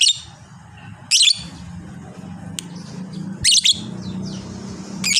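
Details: Long chatter of a fighter lovebird: short, shrill, grating bursts of high squeaks separated by pauses, over a steady low hum.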